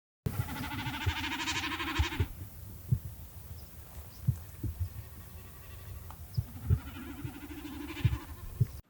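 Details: Common snipe in Iceland winnowing in descending flight, tail feathers vibrating: a hollow, fast-pulsing bleat about two seconds long, given twice, over steady wind rumble and thumps.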